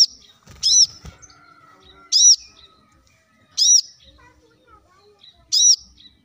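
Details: A plain-throated sunbird gives lure song intended to get other birds singing quickly. Four high, arched, ringing notes are spread over a few seconds. A brief low rustle or knock opens the recording.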